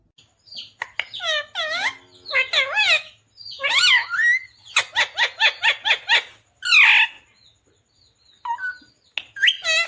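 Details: Green ringneck parakeet chatters in talking mode: varied wavering, swooping harmonic syllables run together in fast speech-like phrases, with a burst of rapid clipped notes and a harsh squawk.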